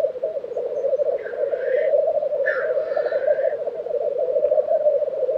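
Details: Black grouse lekking in April 2023 at Tiveden, Sweden, with continuous dove-like bubbling warbling and two short, breathy hissing sneezes near the start and middle.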